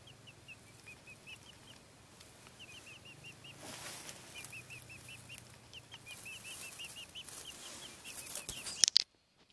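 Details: Silkie chicks calling: a long stream of rapid, high, piping cheeps in loose clusters over a faint hum, ending with a short clatter.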